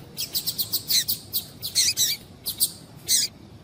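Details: High, thin chirps from a female double-collared seedeater, used to get males singing, given in quick runs of several notes with short gaps and a few longer buzzy notes near the end.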